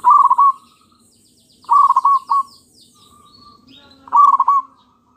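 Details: Local zebra dove song played as a lure to draw answers from other doves: three bursts of rapid, pulsed low cooing, softer trilled notes between, and faint high chirps of other small birds.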